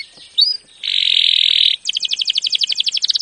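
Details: Canary training song: a short upslurred whistle, then a steady buzzy trill about a second long, followed by a fast rhythmic roll of repeated clear notes that speeds up toward the end.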